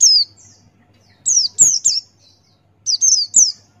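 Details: Male Buxtoni white-eye, ngalas style, open beak, as a tutor recording: crisp runs of three high, descending whistled notes in quick succession, a single note opening, then two triplets after pauses.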